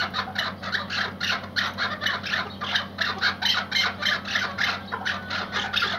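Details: Iraqi white hunting partridge, a tethered decoy bird: harsh, raspy chattering notes delivered in a rapid, uneven series of about four per second, each burst broad and grating, continuing steadily throughout with a low hum beneath.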